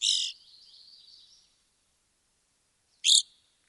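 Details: In Wisconsin, an Evening Grosbeak gives two loud, sharp, high chirps about three seconds apart, a faint thin tone trailing after the first, against an otherwise quiet background.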